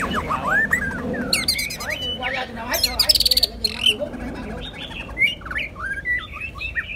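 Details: Two white-rumped shamas in a singing duel deliver a loud, rich run of whistles, quick trills and sharp repeated notes, with sweeping slurred phrases near the end and a faint low background rumble.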